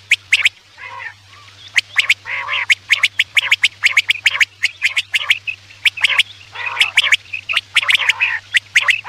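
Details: Quail sound used to lure birds for hunting at night: dense runs of clipped, high, ticking notes mixed with rasping bursts, almost continuous, with a low steady hum throughout.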